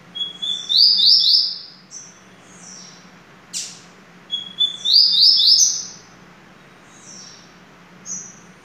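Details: Double-collared seedeater repeating its phrase: a high whistle that turns into a buzzy, stuttering trill, sung twice about four seconds apart, with a few short chirps between.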